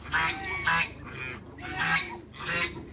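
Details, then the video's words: Cayuga and mallard hybrid ducks call in loud, raspy, nasal bursts, about four calls spaced roughly half a second apart. "MEETING HYBRID CAYUGA & MALLARD DUCKS"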